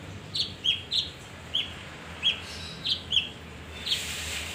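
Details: Male leafbird song played to lure birds: a string of short bright chirps, some doubled, spaced unevenly, ending in a rougher burst.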